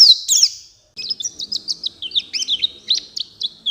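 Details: Oriental white-eye answering another bird with 'gacor full isian' song: a loud slurred opening phrase, a short gap, then a steady string of quick, high, sharp chirps roughly four to five per second.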